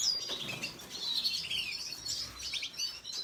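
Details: Red siskin, the Venezuelan red siskin, singing a rapid high twitter of bright chirps and short thin whistles, with a brief soft flutter of wings near the start.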